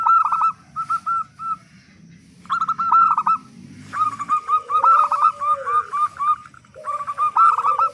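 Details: Loud local zebra dove, singing as a lure for other doves. Short runs of quick arched coos separated by pauses, with a lower drawn-out sliding tone beneath the later phrases.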